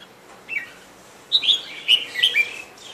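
Sooty-headed bulbul giving a short, bright phrase of quick liquid chirps, high and slightly descending, in a few bursts over three seconds against a quiet background.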